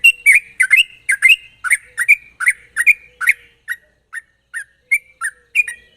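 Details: Sooty-headed bulbul in vigorous song with sharp trills, a lure recording for prompting other bulbuls to sing. Rapid bubbly phrases slow into spaced, single warbled notes.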